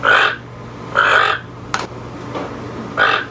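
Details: Hoarse, rasping croaks from a toucan, three spaced calls about a second apart, with a sharp click between them and a faint background hum.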